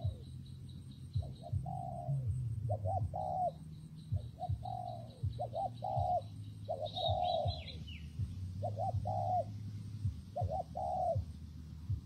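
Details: Spotted dove cooing repeatedly through rainy, windy weather, its short and drawn-out notes recurring every second or two. A high twittering from another small bird sounds midway, over a low continuous rumble.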